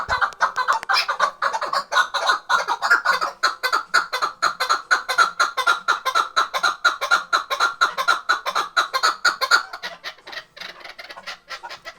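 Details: Tethered chukar partridge from Khoja Mumin salt mountain, kept for hunting. It gives a long, rhythmic run of hoarse chuck notes about two per second, loud and even, then softer in the last seconds.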